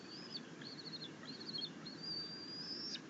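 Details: Eaglet of a bald eagle pair, fed fish by its mother after trying to feed itself on a rabbit, 9 June 2021: quick, thin, high whistled notes then one long rising whistle, over a low hum.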